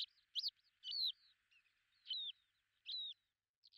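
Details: Lesser short-toed lark at Belchite, Zaragoza, Spain, in July 2019, giving high, slightly descending chirped notes, alone or in short runs, repeated roughly every second with quiet gaps between.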